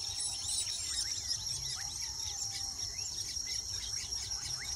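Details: Weaver birds at their nests in Uganda, building nests: a busy overlapping chatter of short high chirps and quick down-slurred notes, with a steady shrill insect drone throughout.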